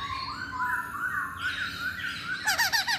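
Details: Masked laughingthrush lure song in steady background noise: wavering whistled notes drifting slightly up and down, ending in a quick burst of short looping notes.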